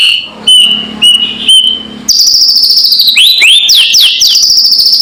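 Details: White-rumped shama, loud provoking sound meant to stir rival birds to anger: steady whistled notes repeated about twice a second, then a fast series of loud sweeping whistles dropping and rising.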